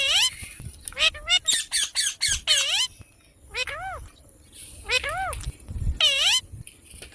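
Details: Baby desi parrot talking: an opening run of rapid screechy squawks, about four a second, then slower separate arched, harmonic calls rising and falling, with soft low background noise.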